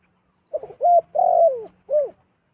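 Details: A wild zebra dove drawn to a decoy utters one complete coo phrase: a quick flutter of notes, a steady whistled tone, a long trilled note sliding downward, then a final arched note, over a faint low drone.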